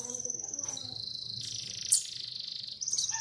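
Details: Morning canary song used to prompt other canaries to sing: a continuous, very fast, high buzzy trill holding a steady pitch, briefly broken by a sharp chip before a higher trill resumes.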